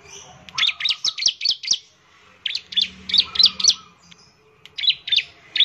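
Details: Bar-winged prinia, a semi-active singer used to encourage other birds to sing: rapid runs of sharp, high, clipped chirps, about four per second, in two main bursts with a softer low trill.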